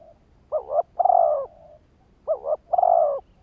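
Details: Lure-call spotted dove: two phrases, each a quick pair of coos running into a long, smooth coo, with a faint soft coo trailing after the first.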